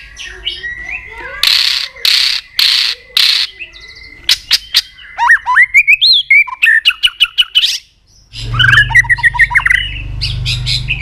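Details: Fired-up White-rumped shama in aggressive singing: loud harsh bursts, then sharp clicks and rising whistles, a short pause, then a tumbling whistled phrase over a low background hum.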